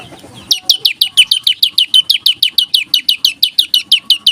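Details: Olive-backed tailorbird in rapid, tight, continuous 'ngebreen' singing style: loud, sharp high notes, each dropping in pitch, fired about three per second in an unbroken run after a brief quiet start.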